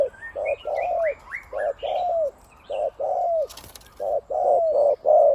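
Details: Decoy spotted dove with a big voice, 'khu-ang' coo style, used for ground, branch and trap decoying; short separate coos, several ending in a downward slur, faint twittering birds in the background and a brief click.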